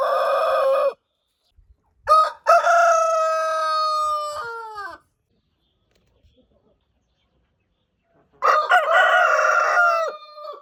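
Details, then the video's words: Rooster crowing: a short harmonic crow cut off at the start, then a long crow with stuttered opening notes, a sustained middle and a falling tail, and another strong crow beginning near the end. "Roosters crowing compilation | Sounds of roosters"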